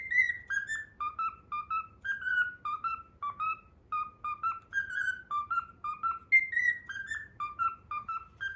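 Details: Cockatiel kept as a pet whistling the Pythagora Switch opening theme: falling high notes open each phrase, followed by quick stepped whistles at a lower pitch, repeated twice in a jaunty rhythm, with faint low hum.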